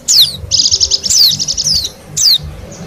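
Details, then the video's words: Wild white-eye from Bali, song used to lure wild birds: a quick falling whistle, then a fast high rattling trill crossed by sharp downslurred notes, a short gap, and a final descending whistle. "suara pikat dan pancingan bunyi burung pleci bali liar"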